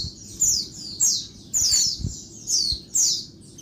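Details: A female Oriental white-eye gives loud daytime calls meant to excite males: sharp, high notes sliding downward, about five spaced bursts, with faint low knocks in the background.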